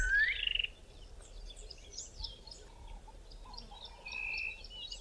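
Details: A Black-crowned Tchagra in thick bush in southern Africa gives a single clear, rising whistled call at the start, with fainter chirps from other birds and insects in the background.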